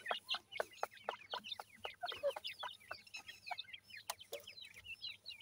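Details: Grey francolin chicks being fed: many thin, high, down-slurred peeps overlapping in quick succession, mixed with sharp clicking taps.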